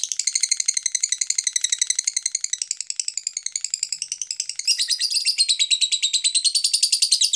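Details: Lovebird singing, offered as a lure to make other lovebirds sing vigorously: rapid rattling chirps in a steady stream, growing louder and shriller in the second half, continuous throughout.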